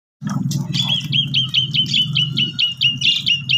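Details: Asian pied starling song used as a lure to make a sulking, silent starling sing: a rapid run of bright, short whistled notes repeated over two times a second, above a steady low hum and murmur.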